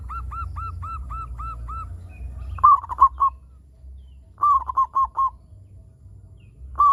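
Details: Local zebra dove, a frequent singer, used as a lure to make other zebra doves call. Seven soft arched notes come first, then staccato cooing phrases of four to five quick notes recur every couple of seconds over a low rumble.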